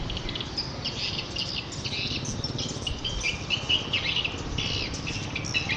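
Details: Edible-nest swiftlet calls linked to swiftlet farming: rapid, dense high chirps and twittering bursts in clusters through most of the clip, over a steady low hiss and rumble of background noise.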